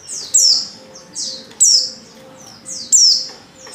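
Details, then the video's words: Female white-eye calling a male during heat: paired high chirps, a softer slide then a loud descending note, repeated roughly every one and a half seconds. "Pleci | betina | Birahi Memanggil jantan"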